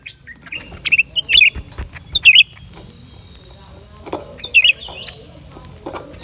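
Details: Lesser green leafbird song: a run of quick, high, wavering chirps, then a quieter stretch and one more bright flourish, over a low background hum and occasional knocks.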